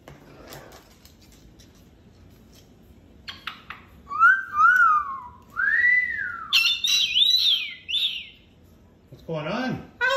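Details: Pet cockatoo vocalizing while spreading its wings in an 'angel wings' display for its owner: a series of loud whistled notes rising and falling, some warbling, ending in a harsh squawk, with a woman talking softly to the bird.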